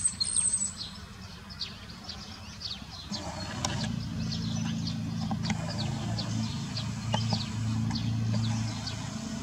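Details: Common starlings on the İnönü University campus in Turkey chatter in a loose stream of sharp clicks, chirps and thin high whistles, several each second, over a steady low rumble of background noise.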